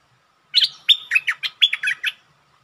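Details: Lure bulbul challenging the local territory owner gives a single bright phrase: a rising opening note, a held whistle, then a brisk series of gurgling, up-and-down notes, about nine in all.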